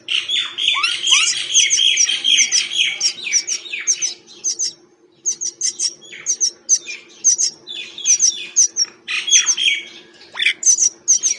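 A myna chatters in a rapid, varied run of harsh squawks, clicks and sharp whistles, with a short pause midway, over a low steady hum.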